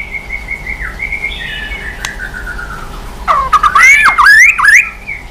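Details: White-rumped shama singing in the 'kéo dây yến' swift-like style while flicking its tail: a long thin level trill slowly dropping in pitch, then a loud twisting warble of sweeping whistles.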